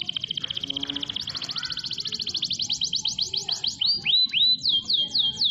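A canary sings a fast, high rolling trill that quickens into a shrill buzzy run, then ends with a string of ringing down-slurred whistles, several per second.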